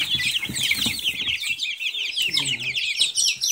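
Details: Group of Silkie chicks giving shrill, rapidly repeated downslurred peeps, a few brighter whistles among them, with low scratching and rustling beneath.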